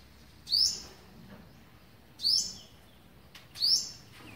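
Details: Olive-backed sunbird calling while feeding young on the eleventh day, 27 November 2019: three short, very high, sharp chirps spaced about one and a half seconds apart over a quiet background.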